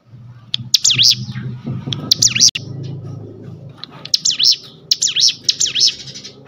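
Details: Sunda bush warbler singing ngebrem style, for use as a lure and tutor. Short clusters of high, swooping V-shaped notes come in irregular bursts over a low background rumble.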